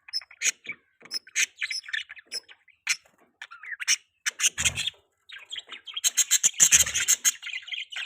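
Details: Budgie chirping during mating season, with dense, busy bursts of sharp tweets and harsher squawky notes that grow louder and thicker toward the end.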